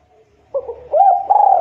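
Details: Spotted dove coo meant to prompt young, untrained doves to sing: after a short quiet stretch, soft low notes build into a loud, sustained, slightly trembling coo.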